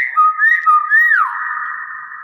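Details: Common hill myna, a bird said to greet guests with assalamualaikum, whistling short rising notes that slide down into a long steady tone.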